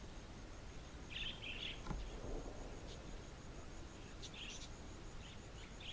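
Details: Wild budgerigars nesting in tree hollows in the Australian outback, during breeding, courtship and chick-rearing, give short bursts of chirruping, scratchy warbles in two main clusters a few seconds apart, over a steady thin high whine and low rumbling background.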